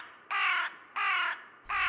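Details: Carrion crow giving harsh, ringing, far-carrying 'kraa' caws, usually repeated three times: three in quick succession, each about half a second long, the last cut short.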